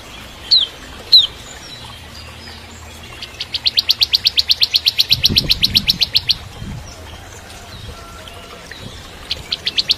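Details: Bar-winged prinia (ciblek kristal) singing vigorously in the gacor, ngebren trilling style, used as master song to train juvenile white-rumped shamas: two sharp chips, then a fast even trill of about twenty high notes over three seconds, another short trill at the end.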